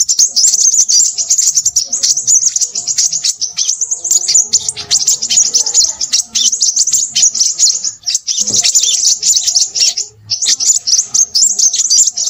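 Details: Long, unbroken run of shrill Crimson sunbird twittering, with fast clicking notes and fine high trills and only a few short breaks near eight and ten seconds.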